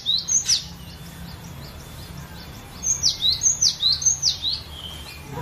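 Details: A captive cinereous tit sings varied high, thin, sharply dropping notes, used as a lure song, about two or three a second, in two bursts with a pause between, over a faint low hum.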